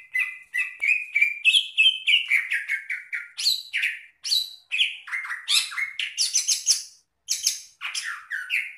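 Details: Greater green leafbird (cucak ijo) song, offered for bird keepers as a master recording to tutor other birds; a fast, rich, nearly unbroken stream of varied chirps, whistles and slurred notes sweeping up and down, with only brief pauses.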